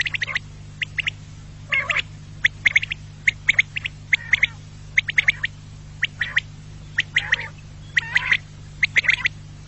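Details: Quail hunting lure call: repeated bursts of short, clipped chirping notes, roughly one cluster per second, with occasional harsher squawky notes and a steady low hum beneath.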